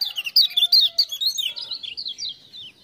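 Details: Lemon-bellied white-eye from Lombok, prompted by "ciak-ciak" sounds, gives a dense, fast string of high, twittering chirps with brief sweeping notes. A faint lower steady tone runs beneath.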